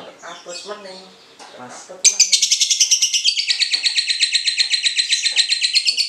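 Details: Cinderella lovebird ngekek, a long chattering song used as a trigger for training other lovebirds: after two seconds of softer mixed chirps, a rapid high buzzy chatter of about four notes a second runs on steadily.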